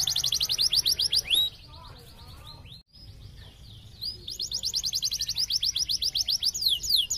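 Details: Canary lure song meant to prompt a non-singing canary to respond. Fast repeated high sweeping trill notes run in long rolls, broken by a short pause, over a constant low background hum.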